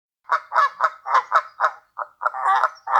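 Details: A Canada goose demanding food at Sand Harbor, Lake Tahoe, Nevada, gives a rapid run of short, nasal honks, about three per second, ending in a longer, rougher honk; nothing else is heard.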